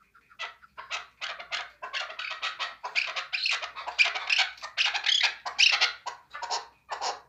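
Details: Hunting chukar partridge with a steady stream of rasping chuck notes, uneven in timing and swelling louder toward the middle before easing off.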